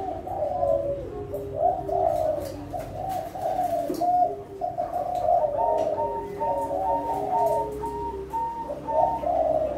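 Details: Captive breeding-stock spotted dove of Kelantan type, kept at a dove farm and rated contest class: low, soft coos in repeated rolling phrases, overlapping and continuous, with faint room noise behind.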